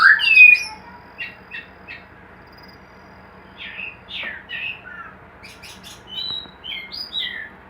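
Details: Hanging-cage white-rumped shama, bred in captivity, opens with a loud slurred whistle, then goes quiet before soft clicks and a string of high, thin whistled notes toward the end.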